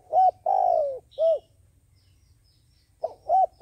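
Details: Decoy dove calling to attract doves for trapping: a hoot, a long falling coo and a short rounded note, then a pause before further quick hoots. Soft low hum in the background.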